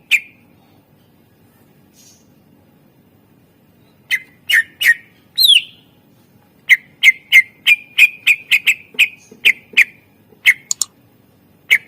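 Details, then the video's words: Greater green leafbird singing a lively, richly varied song used as a tutor and lure for other birds: loud, sharp whistled notes repeated in quick bursts, some with high rising sweeps, separated by short pauses. "masteran cucak ijo gacor ampuh untuk pancingan burung suara isian mewah"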